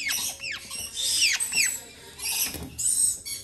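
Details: Red-capped parrot chicks being hand-fed indoors, giving rapid harsh, rasping begging squeaks in repeated bursts, with soft feeding and handling noises underneath.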